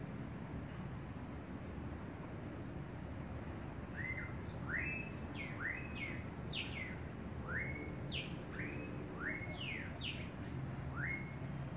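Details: Cinnamon hummingbird young begging while being fed by its mother; short squeaky upslurred chirps, each rising sharply, given in an irregular series over about eight seconds over a steady background hiss.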